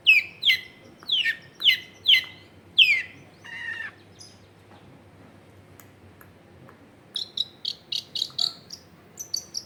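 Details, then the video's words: Long-tailed shrike song played to lure lazy shrikes into singing, from a densely populated area: six loud falling whistled notes about half a second apart, a short pause, then quieter rapid high chirps. "SUARA BURUNG CENDET GACOR PANCINGAN CENDET MALES BUNYI"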